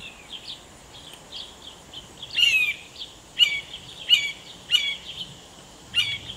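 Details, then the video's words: Blue jay mimicking a red-shouldered hawk call at a feeder, starting after a squirrel leapt in and took a tossed peanut: five harsh, downslurred screamed notes at irregular intervals of about a second, faint chirping from other birds before; perhaps warning or duping other birds. "In this example, a blue jay begins making hawk calls after a squirrel leaps in and takes one of the peanuts"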